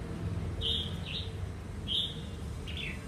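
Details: Red-whiskered bulbul, wild-caught, singing: paired clear whistled notes, the second of each pair slurred downward, repeated roughly once a second, with background hum.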